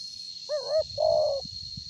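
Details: Spotted dove with a big voice, used as a lure, giving a single phrase: a quick wavering double hoot followed by a longer level hoot, with a constant high insect whine behind.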